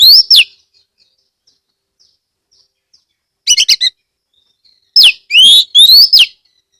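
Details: Oriental magpie-robin from Rejosari, Ambal, Kebumen, Central Java, played to coax other magpie-robins into song: a rising whistle, a pause, then a chattering burst and several ringing, upslurred whistles in close succession.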